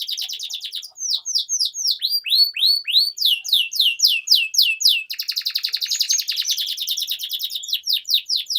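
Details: Long, energetic canary song meant as a tutoring lure for young birds: rapid high descending chirps in runs, a dense buzzing trill in the middle, then more quick sweeping notes.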